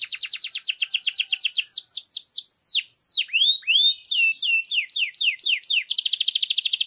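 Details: Canary mating song: a quick repeated-note trill, then varied sweeping whistles, swoops and upslurs, closing with another fast buzzy trill.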